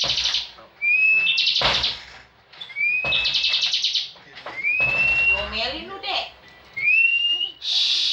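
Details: Competition bar-winged prinia singing in ngebren style, rising whistled slides and loud buzzy bursts recurring about every two seconds, with some low background knocks and rustling.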